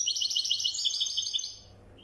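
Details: European goldfinch, wydani song style, delivering a dense, continuous stream of fast liquid twitters and trills that fades out after about one and a half seconds.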